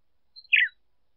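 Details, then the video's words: A female Red-cowled Cardinal gives one short song phrase, used to stimulate a male: a thin high note, then a bright, slurred burst that drops in pitch, with nothing else heard. "Fêmea de galo-de-campina cantando para esquentar macho"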